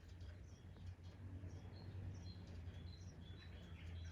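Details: Sparrow nestling calling from a nest sheltered behind a rolled bamboo blind at a house on Bali, Indonesia, during the rainy season, late October to early November; thin, high chirps repeated in quick succession over a steady low rumble of background noise.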